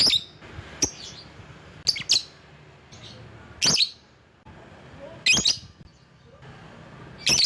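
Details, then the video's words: Lovebird calling to draw rivals, used as a lure bird: sharp, shrill chirps at irregular gaps, some single and some in quick pairs, over a quiet background hiss. "Burung LOVEBIRD Ampuh memanggil lawan"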